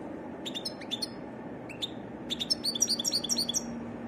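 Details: Varied song of a European goldfinch: scattered high tinkling chirps at first, then a rapid, liquid twittering run of repeated bright notes, about four per second, over faint low background noise.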